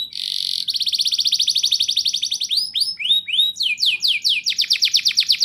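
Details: Rolling, shooting canary song used to coax young canaries into singing: a buzzy opening, then a fast steady trill that breaks into looping rising sweeps repeated several times a second.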